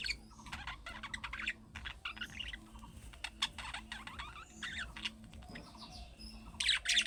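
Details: Pet budgerigars with calling-style chatter like young birds use to draw answers; softer scratchy warbles and ticking chirps in short runs, ending in a louder bright burst, over a low electrical hum.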